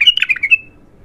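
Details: Untrained bulbul singing for the first time: a brief warbled phrase of quick, slurred whistled notes that rise and fall, then fade out into quiet.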